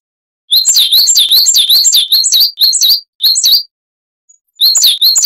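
A coal tit sings quick, very high two-note phrases, about five a second, in bursts broken by short pauses. No other sounds.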